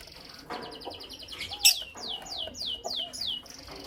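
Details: Creamino and Lutino Opaline lovebirds chirping in the morning: a rapid buzzy trill of high notes, then a run of six sharp falling chirps about every third of a second, with soft low calls beneath.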